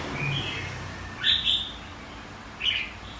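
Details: Red-whiskered bulbul song for singing contests and training white-cheeked birds: a faint opening phrase, then two loud clipped whistled notes close together, and one more short bright burst a second later.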